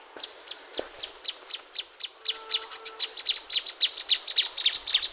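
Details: Fast, accelerating series of dry, sharp chip notes from a plain thornbird. The notes crowd closer together and grow louder toward the end, with a brief soft hum of lower tones partway through.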